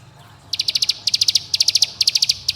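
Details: Bar-winged prinia calling companions and provoking rivals in tight 'bren' style, played to make young birds sing. Quiet opening, then quick sequences of sharp high-pitched ticking notes in groups of four to six, closely spaced.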